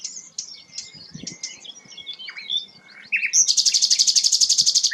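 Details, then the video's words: Sikatan londo, a rare bird, delivering thin high twitters and a long level whistle, then breaking into a loud fast buzzing trill of evenly repeated pulses that runs to the end. "burung langka sikatan londo"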